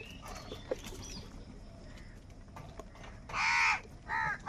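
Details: Amid crows contesting food, two loud, rasping caws come close together toward the end, following a quieter stretch of faint rustling and distant noise.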